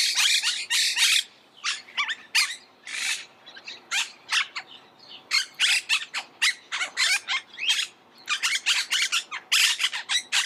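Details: Monk parakeet producing scattered bursts of harsh, scratchy squawks and shorter chips, irregular in rhythm, some louder runs near the end.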